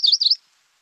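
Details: A Yellow-rumped Warbler song: a quick, high, slurred run of warbling notes, cut short after under half a second, then silence.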